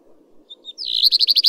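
A common redstart sings two thin, high introductory notes, then a rising note running into a quick, ringing series of about eight repeated phrases, over a faint low hum.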